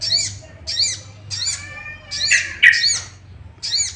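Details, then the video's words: Sooty-headed bulbul sound played to stir other bulbuls to sing: a run of high, bright arched chirps in quick phrases, with a lower, fuller note near the middle. "Pancingan emosi burung sogok ontong"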